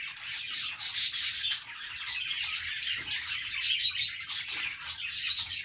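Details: Several pet budgies, Australian parrots, chattering happily during their morning routine: a dense, continuous wash of high scratchy warbles and chirps with brief sharper squeaks, no pauses, swelling slightly near the first and fourth seconds.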